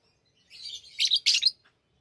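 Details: Pet lovebirds playing with rings give a brief rising run of scratchy, high chattering chirps ending in two louder harsh notes.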